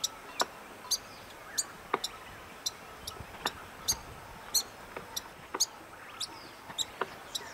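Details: Gambaga Flycatcher in Sabt Al Alayah, Asir, south-west Saudi Arabia, giving sharp, dry ticking calls, high and clipped, spaced irregularly about every half second to a second over a faint hiss of background noise.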